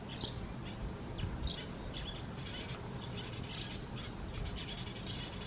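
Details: Eurasian tree sparrow fledgling calling actively on 3 June 2024, apparently already independent of its parents with no feeding seen; short high thin chirps, four spaced roughly one to two seconds apart, over steady low background noise.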